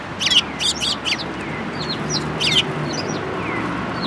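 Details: A group of Eurasian tree sparrows arriving to be fed at a Tenmangu shrine in Japan, 24 February 2022, opens with a quick run of loud high chirps, followed by softer, sparser twitters against a background hum.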